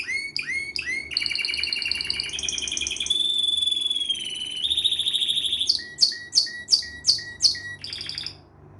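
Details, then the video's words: Canary singing a varied phrase: quick separate chirps, a rolling trill, a long pure whistled tone, more trills, then a series of loud sweeping chirps repeated steadily. "pleasant canary singing"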